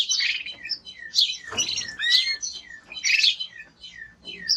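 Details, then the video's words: Male timbrado canary in vigorous song, delivering dense bursts of high twittering notes mixed with curving whistled slurs and short chirps, with brief pauses between phrases. "Canary singing Strong Bird - ذكر كناري تغريد نار"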